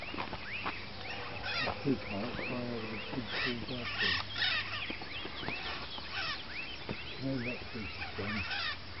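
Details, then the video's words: Northern red-shouldered macaw giving harsh, overlapping screeches and squawks in quick succession, with rising and falling notes that crowd the whole stretch, over a steady low hum. "Northern Red-shouldered Macaw"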